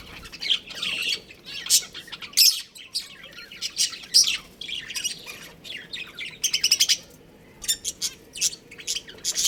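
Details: Pet budgerigars, a breeding pair kept as a family, chirping: dense bursts of high, scratchy chirps and warbles, clustered notes with short quiet gaps, one break near the middle before another rapid run of chatter.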